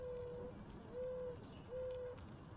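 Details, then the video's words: Mourning dove cooing: three long, soft, level coos of equal pitch, roughly one every 0.8 seconds, hollow and mournful, with a low murmur of background noise. "MOURNING DOVE COOING"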